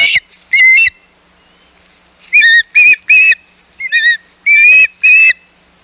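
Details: Osprey calls at the Hog Island nest, 11 May 2021, during a visit by intruding ospreys: sharp, whistled, harmonic notes given singly and in short clusters, some with a slight downward inflection, separated by brief quiet spells.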